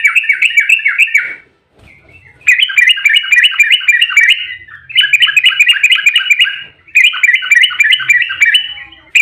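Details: Yellow-vented bulbul delivering an agitated, fast 'ropel' fighting song meant to prompt other bulbuls to respond: four long runs of rapid, repeated, rolling notes with brief pauses between them.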